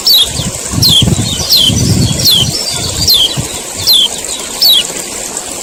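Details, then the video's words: Male Common iora calling 'ciak ciak' to prompt other birds to sing; thin, falling high-pitched chirps come roughly every second, while a deep rumbling noise swells and fades beneath them. "CIAK CIAK KECIAL KUNING JANTAN PANCING BUNYI AGAR GACOR"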